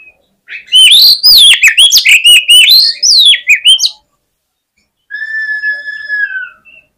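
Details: Oriental magpie-robin giving a fighting song meant to provoke rival males: a loud burst of rapid, varied whistled and chattering notes sweeping up and down for three seconds, a pause, then softer steady drawn-out whistles.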